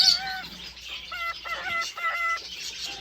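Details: Courting male cockatiel in an indoor aviary gives level, sustained whistled notes in short groups with brief gaps, each tone steady in pitch, against a soft background hiss.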